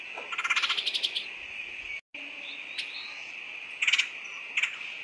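A woodpecker gives a quick run of about eight sharp, chattering notes, then short bursts of the same notes. A steady high insect-like drone runs underneath.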